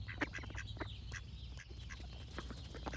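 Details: Duck giving a run of short, raspy quacks, loudest at the start and then continuing irregularly, with faint bird song and low rumble behind.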